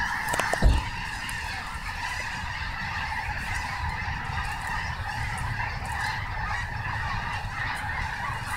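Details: Snohomish snow geese, a crowded chorus of nasal honks running without pause, opened by a brief thump near the start, with low background rumble.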